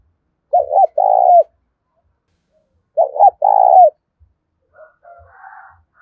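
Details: Spotted dove calling, used daily to rouse newly caught doves: two phrases about 2.5 seconds apart, each a doubled short note and a long burred coo, followed by faint, higher wavering sounds.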